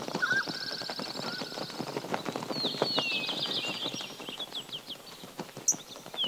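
A stork gives a fast, dry rattle of wooden clicks that runs almost without pause, while thin high whistles and chirps from other birds sound over it.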